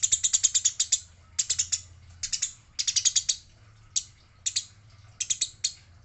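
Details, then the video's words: Eurasian tree sparrow in a fight, stated female: an opening rapid rattle of chirps, then bursts of three to five scratchy high notes spaced across several seconds, with a quiet low hum beneath. "Gereja gacor - gereja tarung - gereja betina"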